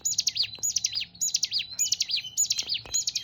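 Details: Hill prinia (ciblek gunung) delivering a rapid run of high, sharp, zigzagging notes in short bursts, each phrase repeated roughly every half second over quiet, low-pitched background noise.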